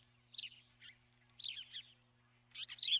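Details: Osprey at the nest, nest camera, March 12, 2016: three quick groups of sharp, high chattering chirps, the last ending in a bright whistled note, over a low continuous hum.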